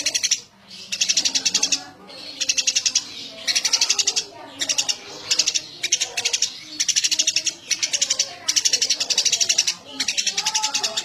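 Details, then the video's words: Lively Eurasian tree sparrow chirping almost continuously: about a dozen tight bursts of sharp, high chirps, each a quick rattling series, with brief gaps between and soft low murmuring behind. "Suara burung gereja gacor"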